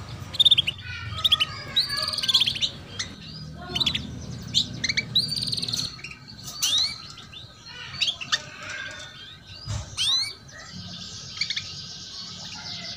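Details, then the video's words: Chirping of a female canary as a prompt to make young canaries sing: a busy stream of high chirps, short trills and slurred whistles with brief gaps, plus a faint steady tone and low background noise. "PANCINGAN Kenari BETINA Cuit Cuit || Masteran Kenari Paud Agar Cepat Bunyi"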